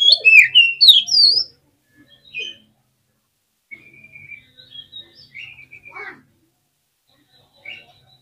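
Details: Oriental magpie-robin (kacer) kept in a cage, agitated song to provoke rivals: a loud opening cluster of sharp descending whistled notes, then sparse quieter whistles and a long drawn whistle sliding downward.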